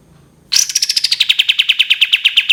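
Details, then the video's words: Sudden rapid trill from a cream-vented bulbul in 'tembakan' style, a string of sharp clipped notes dropping from a high start to a level pitch, with a faint hum before it. "SUARA BURUNG KAPAS TEMBAK KATEM NYAUT GACOR DOR"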